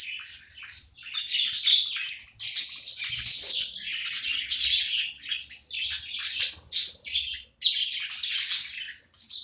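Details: Pet budgie chattering while playing: steady, scratchy warbled chirps in rough bursts, interrupted by a few sudden louder squeaks and brief drops in sound.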